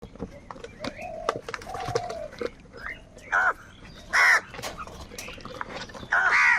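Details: Crows fighting over food, with harsh, broad, grating caws bursting out near 3.4, 4.2 and 6.2 seconds, plus softer chatter, clicks and a steady background noise between them.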